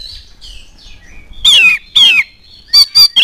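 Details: Oriental magpie-robin song used to provoke other birds: faint soft warbles at first, then two loud, rasping, downslurred notes and three short, sharp whistled chips.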